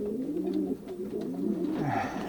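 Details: Racing pigeons in a young-bird loft in Poland during pairing in the 2023 season, indoors. Low wavering cooing from several birds overlapping continuously, with a brief rustle near the end.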